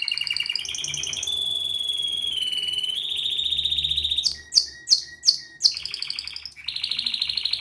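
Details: Pleasant canary singing: rolling trills, a pure steady whistled tone, then four sharp sweeping notes at regular intervals and more rapid trilling.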